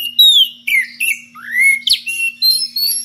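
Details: Magpie-robin calling a rival with strange varied phrases: drawn-out whistles that fall, a long rising slur, then scratchy notes and clear high whistles, all against a quiet background.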